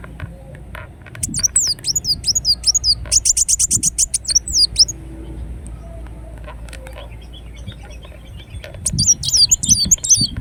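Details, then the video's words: Ruby-cheeked sunbird (kolibri wulung) in Indonesia giving high, thin, swooping twitters and a rapid burst of ticking chips, then a quiet pause before another bright run of squeaky, looping notes. "Kolibri Wulung Gacor Dorr Bocor Corr"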